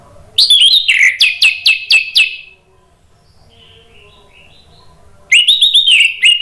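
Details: Orange-headed thrush song used as a lure to prompt a silent bird to answer and sing: a quick run of loud, clear, downslurred whistles and chirps, a pause with faint soft notes, then another bright warbled phrase.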